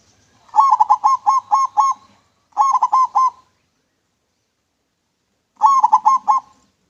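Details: Zebra dove of local stock singing a clean manggung song for luring: three phrases of rapid, rolling coos, about seven, four and five notes, with a long gap before the last.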